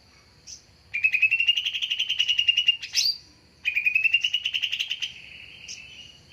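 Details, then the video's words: Lure sound of a greater green leafbird for attracting wild birds: long rapid pulsed phrases that climb slightly and hold, a sharp click between them, over a constant thin high-pitched tone. "Suara Pancingan/dan suara PIkatan Cucak Ijo"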